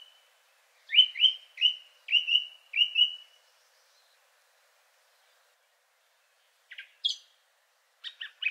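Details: Third male Song Thrush with a richer, nightingale-like song: a crisp whistled note repeated about six times rapidly, a long pause, then a few scattered sharp chirps.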